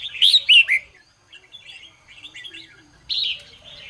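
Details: Morning song of a Red-whiskered bulbul: a burst of loud, fluty, up-and-down whistled notes opens, then quieter chattering warbles, and a strong whistled phrase returns near the end.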